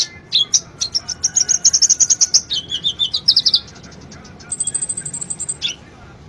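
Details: Sunbird singing as a lure for a quiet bird: a long, fast, high twittering trill that drops slightly in pitch, then after a pause a very high thin buzzing trill.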